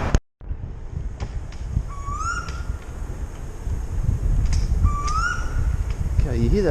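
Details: An Eastern koel in Sydney in late September, just before 4 pm, gives two loud, rising whistled notes about three seconds apart over a steady low rumble of traffic; its calls are known to wake people.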